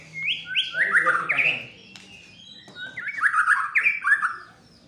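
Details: Fighter white-rumped shama singing while agitated: two bursts of rich slurred whistles with sharp descending notes, separated by a quieter gap, over a faint low hum.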